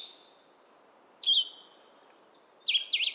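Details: Blue-headed vireo singing short, sweet, slurred, cheerful phrases, slower than other vireos, spaced by unhurried pauses in a quiet natural setting.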